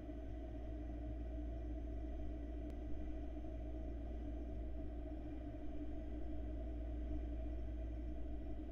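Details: A steady low electrical hum and drone fill the recording, with no animal sounds.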